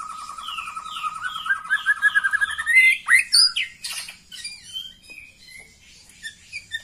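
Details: White-rumped shama female sound played to stressed or silent males: a quick trill of repeated notes building into loud, varied chirps and squeaks, then scattered softer whistles fading out.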